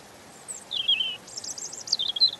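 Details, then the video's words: European robin phrase: a slurred descending whistle followed by a fast shimmering series of very high notes and a wavering tail, over light background hiss. "Ласковое пение Зарянки(малиновки)"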